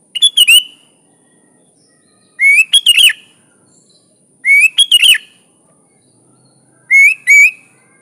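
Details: Sooty-headed bulbul in chatty 'gacor full isian alam' style, meant as a master recording for training other bulbuls: bright, bubbly phrases of short warbled notes, each burst about half a second, repeated roughly every two seconds on a quiet background.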